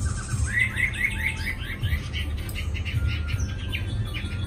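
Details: Caged Chinese hwamei, a newly acquired bird, singing long, sustained phrases: a run of rapid rising-falling slurred whistles repeated in quick succession, then varied sharper notes, over steady low background hum.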